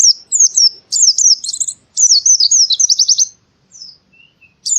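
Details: White-eye from Central Java, Indonesia, singing as in the forest. Thin, high twittering phrases of quick rising and falling notes, then a fast trill, short pauses, and a faint lower whistle near the end.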